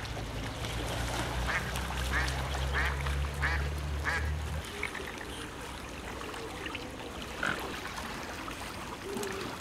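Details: Whooper swans wintering in Olomouc, Czech Republic, give a run of short, nasal, trumpeting honks about twice a second, with a low rumble of wind or engine underneath for the first few seconds.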